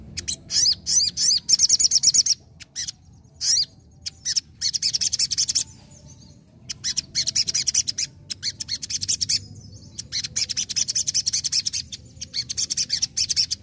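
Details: Sogon singing vigorously, an energetic bird song of dense, very high rapid chirping bursts and trills, broken by short pauses around three and ten seconds, with a low background hum.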